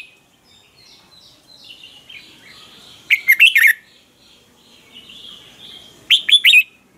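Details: Red-whiskered bulbul singing a morning training song meant to stir other bulbuls into song. Two loud bursts of three or four quick, ringing whistled notes three seconds apart, over soft continuous warbling in the background.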